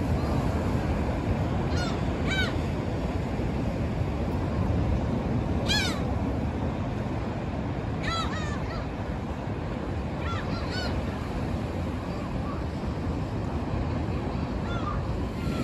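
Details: Black-tailed gull flock at a rocky shore tide pool, skimming low over the water to feed, filmed on a smartphone; scattered nasal, downslurred mewing calls in short bursts, some doubled, over a steady roar of surf and wind.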